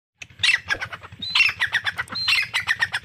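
A grey francolin gives loud, harsh, ringing phrases, each opening with a high rising note and repeated about once a second, over a faint low hum.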